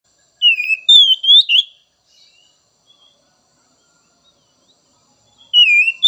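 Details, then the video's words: White-rumped shama song: two short bursts of rich whistled notes, sliding and warbling between phrases, with a long silent gap between them. "Merangsang Kacer Bahan dan Trotol!!"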